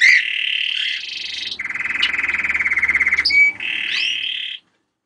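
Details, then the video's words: German crested canary singing three quick tours: a buzzy rolling phrase, a faster pulsed trill, then another rolling buzz that stops abruptly. "singing canary"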